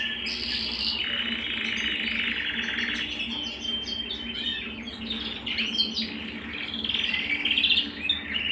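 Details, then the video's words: Canary at home in continuous song, a dense stream of warbled trills and chirps with rolling passages and bright twittering notes, loud and unbroken throughout. "canary bird - canary singing - canary sounds - canary singing at home"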